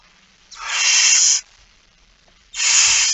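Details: Barn owl hissing while begging at a feeding in It Fryske Gea, 13 September 2019, 06:57; one long harsh wheezing hiss, then a pause before a second begins.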